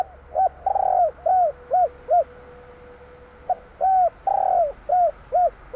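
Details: Javanese spotted dove song of the 'kur 3 besar' type: mellow, rounded coos, each phrase holding one longer drawn-out note among shorter ones, two phrases separated by a brief gap, with a faint steady hum underneath.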